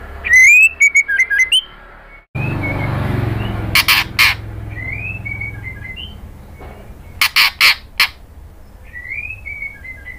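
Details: Female white-rumped shama in kretekan calling to a male: a rapid burst of loud whistled notes, then a brief silence, rough noise, paired crackling clicks and scattered soft whistled phrases, more clicks near the end.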